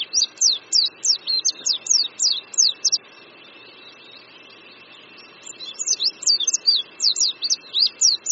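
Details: An Oriental white-eye perched on a branch above a creek in Qingdao, Shandong, China, in spring, sings rapid, high, thin twittering notes in two bursts of about three seconds each, split by a quiet pause, over a faint steady hum.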